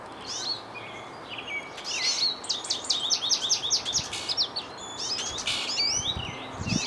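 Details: An American goldfinch, having flown from a bird feeder to a birch tree in spring, sings a long, rambling run of high, bright twitters and tinkling notes, fast and unbroken, over a faint outdoor hush.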